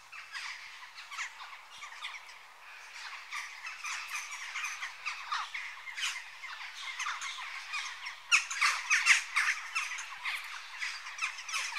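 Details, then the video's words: Western jackdaw flock in busy chatter, rapid harsh notes tumbling over each other, growing louder and more urgent toward the end. "Jackdaw Bird Call Bird Song"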